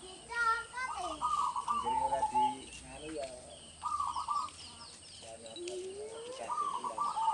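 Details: Zebra dove of a local strain, recorded in a rural village setting, its voice serving as a lure for trapping doves: clusters of quick, stuttering coos repeated at intervals, mixed with other bird chirps and faint voices.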